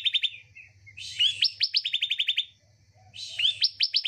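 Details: Bar-winged prinia song used as therapy to lure a bird reluctant to sing: two phrases, each a buzzy burst followed by a quick run of sharp rising notes. A faint low hum runs underneath.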